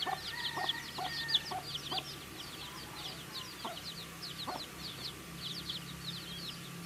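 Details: Baby chickens chirping while eating food: a dense flock of high, thin, downward-slurred peeps overlapping continuously, with sharp pecking taps scattered among them and a steady faint background hum.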